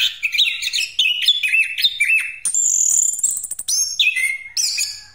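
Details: Orange-headed thrush, Pastol variety, singing a rolling lure song: rapid strings of warbled whistles, then a loud sustained buzzy high rattle, followed by sliding whistled notes.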